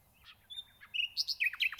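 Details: Nightingale song phrase: faint notes, a short whistle, then quickly accelerating loud chirps with high bright accents.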